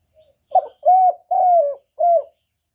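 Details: Spotted dove coo used to attract wild doves for trapping: a short burry note followed by two long, smooth, slightly falling coos and a final shorter coo, mellow and low-pitched, with no background sound.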